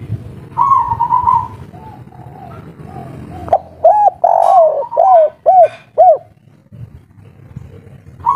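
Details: Local spotted dove of the three-note kuk 3 style, agitated and noisy, gives a soft drawn-out coo, then a loud run of five short arched coos in quick succession, with low hum in the background.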